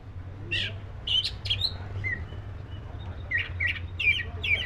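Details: Oriental magpie-robin of the black-breasted form giving scattered short whistled and chirping notes, a pause, then a quicker cluster of sharp chirps, over a low background hum.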